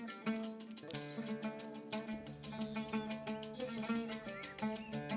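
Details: Plucked string instrument music with a steady rhythmic pattern and no other sounds.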